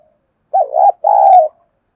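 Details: Decoy spotted dove in Vietnam cooing to lure wild doves into a fight: one phrase of a quick warbled coo then a drawn-out low hollow note, recorded close in quiet surroundings.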